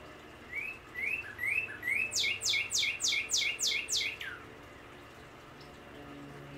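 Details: A male Northern Cardinal sings outside in a backyard, giving a clear phrase of several short upslurred whistles, then a quick run of about seven sharp downslurred notes, ending in a falling slur.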